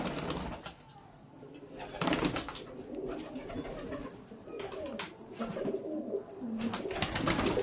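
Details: Laldom pigeons kept in a loft in South 24 Parganas, India: low soft cooing notes repeated irregularly, overlapping with clattering and rustling sounds from the loft.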